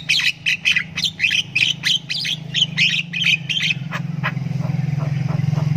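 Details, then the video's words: A Javan myna chick, learning to vocalize, gives long begging-type "ngriwik" calls: rapid, harsh, scratchy chirps, about three per second for nearly four seconds, over a steady low hum. "ANAKAN JALAK KEBO SULTAN NGRIWIK PANJANG"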